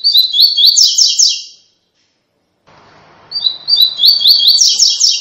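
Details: Coleiro tui tui song meant for training brown young coleiros: two loud, rapid strings of high chirps separated by a gap with faint low background rustle.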